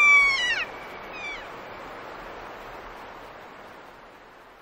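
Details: Receding 'kea' calls of a Kea recorded at Nelson Lakes: one loud, clear, ringing cry that slides downward, followed about a second later by a softer, more distant echoing call, then only the hiss of running water.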